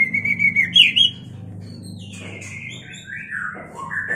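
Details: White-rumped shama singing in mating condition: a quick burst of loud chirping whistles, then a long falling series of sweet whistled and trilled notes stepping downward, closing with a rising whistle. A low hum runs beneath.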